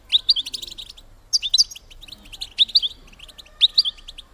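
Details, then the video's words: European goldfinch female call for prompting males to breed: clusters of sharp high twittering notes, a new burst roughly every second, separated by short silences. "بتبتة انتى الحسون لتحفيز الدكور على التزاوج"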